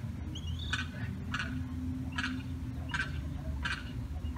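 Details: Lost limpkin chick calling for its mother and sibling beyond a fence utters a series of five short raspy distress notes, spaced slightly over half a second apart, with a steady low hum beneath.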